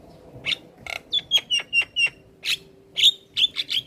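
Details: Black-winged starling in lively song with head-bobbing: a string of clear, level whistled notes at an even pace, broken by brief raspy bursts, over a faint steady hum.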